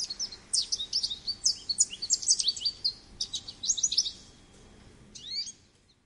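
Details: American goldfinch singing a rapid, varied run of high twittering notes and slurred chips for about four seconds, then a pause and a short final burst of sweet rising and falling notes.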